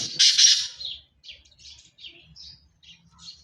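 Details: [' Black francolin of pure Sindhi stock: two loud, harsh, grating bursts in quick succession, followed by a run of fainter scratchy notes with short gaps between them.']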